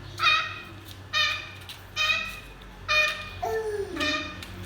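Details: African grey parrot making short, bright, word-like syllables repeated about once a second, five clipped bursts with a lower falling voiced sound between the last two, in a quiet room.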